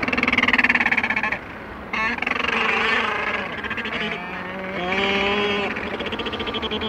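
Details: Macaroni penguins in a colony on Bird Island, South Georgia, with the sea in the distance: several overlapping braying calls, harsh and rich in harmonics, rapidly pulsed, rising and falling in pitch, one after another with brief gaps.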